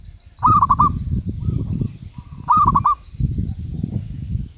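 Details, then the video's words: Medium-voiced zebra dove ('suara sedang') gives two bursts of staccato cooing, each four or five quick even notes, about two seconds apart, over a steady low rumbling background noise. "Merbuk suara sedang"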